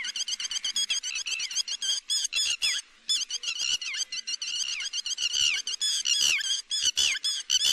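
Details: Lapwing call played to draw birds into nets: a long, dense stream of shrill, falling notes, almost continuous, with one brief pause near the middle.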